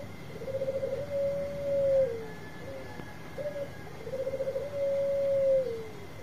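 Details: Bangkok zebra dove with a big voice, used to draw other doves into song: two repeated phrases about three seconds apart, each a quick bubbling trill rising into a sustained coo that slides down, with brief notes between.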